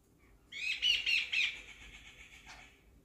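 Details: Jungle babbler among backyard birds perching on chairs at a house, giving a short burst of harsh, grating chatter, three or four rasping pulses, then fading, with a faint low hum.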